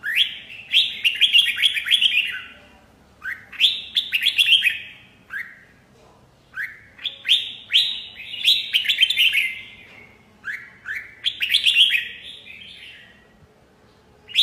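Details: Red-whiskered bulbul singing repeated short bursts of rapid, bright chattering notes, each phrase starting with a rising slur and separated by brief pauses.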